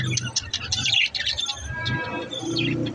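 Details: Budgerigars chirp in busy, overlapping bursts of high twitters and short squeaky notes, with a steady low hum beneath.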